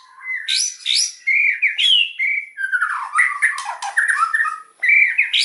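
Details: Forceful white-rumped shama song to stimulate other birds: sharp high strokes, clear whistled slurs, then a dense run of chattering notes and a final whistle.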